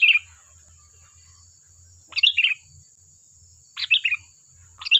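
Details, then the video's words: Sooty-headed bulbul in full lively song, used as a lure to draw other birds to answer: short bright chirpy phrases of quick bubbling notes repeated about every two seconds, over a steady high electronic whine and faint low thumping. "Suara burung Kutilang Gacor || Ampuh untuk pancingan, dijamin nyaut"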